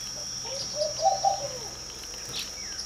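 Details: A Laughing Dove sitting in a garden porch in the early morning gives a soft, bubbling run of low coos that rise and fall over about a second, over a steady high insect hiss.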